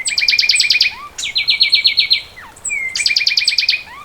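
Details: Song of the fulvous wren, a series of quick trilled phrases of stacked notes, each phrase on a different pitch, linked by short downslurred and rising whistles.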